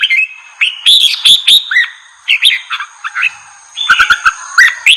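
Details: Red-whiskered bulbul singing to provoke wild birds, with lively phrases of clear whistled and warbling notes, rapid chirps and short sharp clicks, delivered in dense bursts with brief pauses between.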